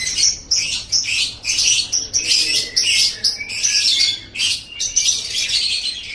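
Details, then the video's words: Song of a lovebird on a master track for teaching birds: loud continuous shrill chatter broken into quick pulses, with squeaky whistled notes threaded through the buzzy high-pitched stream. "Masteran Suara Burung Love Bird"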